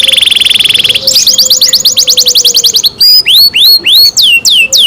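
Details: Loud kept canary song: a very rapid high trill, then a slower rolling series of notes, finishing with clear rising-then-falling whistled slurs.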